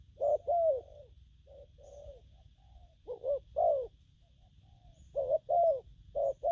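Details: Spotted dove, a young bird, singing gù phóng and gù lăn coos: clusters of two or three low mellow hoots separated by quieter soft notes, over a faint constant hum.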